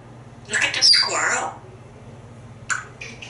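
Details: A talkative pet African grey parrot from a Texas home, hatched in 1997 and interested in squirrels outdoors, gives a burst of harsh, speech-like squawky syllables. A brief, sharper call follows after a pause indoors.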